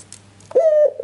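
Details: A white Barbary dove gives one loud, low, smooth coo that holds steady and then drops off, in an otherwise quiet room; used as a lure call to draw replies.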